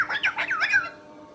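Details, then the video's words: Pet cockatoo talking indoors in a small room, a short burst of warbling, speech-like squawks with rapid rising and falling tones lasting under a second, followed by quiet room tone. "Max Hi 👋"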